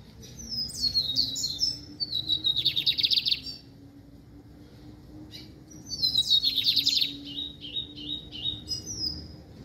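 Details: Brown-plumaged lined seedeater repeating its song twice: high descending whistles and slurred notes run into a rapid buzzy trill, with a pause of about two seconds between phrases; a faint low steady tone underneath.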